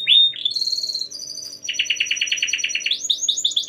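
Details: Domestic canary in long, continuous full song, played to set other canaries singing: a sweet opening whistle, a sustained high note, then a rapid rattling trill of about fifteen buzzy notes ending in quick rising chirps, with a faint steady hum behind.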